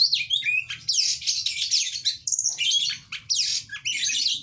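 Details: Kacer, the oriental magpie-robin, in full varied song: bright chattering bursts, a drawn-out high whistle midway and quick rising and falling notes, with a faint low background hum.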